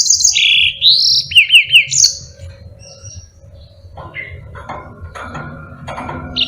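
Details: Yellow-fronted canary song for training other birds: two seconds of high sliding whistles and quick zigzag trills, then quieter, lower scattered chirps and clicks that fade toward the end.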